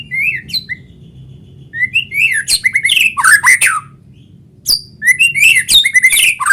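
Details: Natural white-rumped shama song in full voice, used to coax other shamas into singing: clear upward whistles building into loud harsh chattering bursts, a short silence, then another rich phrase.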